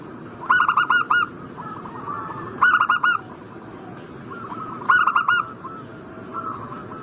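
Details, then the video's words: Zebra dove cooing in breeding condition, played to make a rival bird answer quickly: three bursts of clipped, resonant, stuttering coos roughly every two seconds, with faint drawn-out notes between phrases over a steady low hum. "Pancingan burung perkutut Agar Cepat Nyaut gacor Juaranya pancing birahi langsung nyaut emosi"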